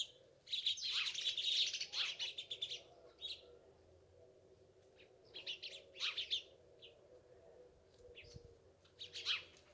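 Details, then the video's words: Sparrows chirping in busy bursts of quick, high twittering notes that come and go over ten seconds, over a steady low hum of background noise. "Цвркутање врабаца"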